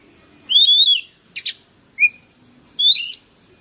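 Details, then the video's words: Oriental magpie-robin, kacer bukor, recorded as a lure for birds that stopped singing: a long warbled whistle, a double harsh rasp, a short rising whistle, then another buzzy warble, all over a thin steady high tone. "PANCINGAN BURUNG KACER YANG MACET BUNYI"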